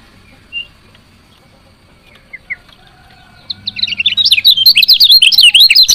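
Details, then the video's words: Female lemon-bellied white-eye chirping to stimulate males into song. After a few faint isolated notes, a quick, bright burst of twittering chirps starts at about three and a half seconds and keeps going to the end, against low background hum. "CIAK KECIAL KUNING BETINA"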